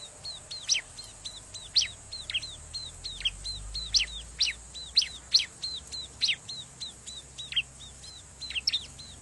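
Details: Noisy bar-winged prinia lure call recorded at a riverbank for attracting wild birds: rapid high sharp chirps and short downslurred notes, repeated in bursts about every second, over faint low background hum.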